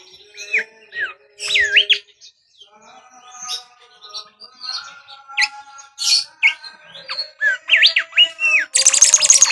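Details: Whistling Bimoli, a lure for training birds: looping up-and-down whistled notes mixed with sharp chirps, ending in a dense buzzy high trill.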